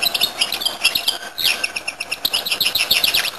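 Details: Goldfinch-canary hybrid giving a dense, high twittering song of rapid chirps and trills, nearly unbroken throughout.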